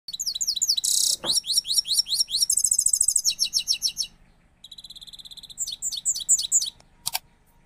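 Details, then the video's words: Goldfinch, described as newly acquired and a powerful singer, delivers a fast varied song of high twittering notes, rapid buzzy trills and repeated chirps, with sliding whistles and a brief harsh burst, all very high-pitched. "power full singing gold finch"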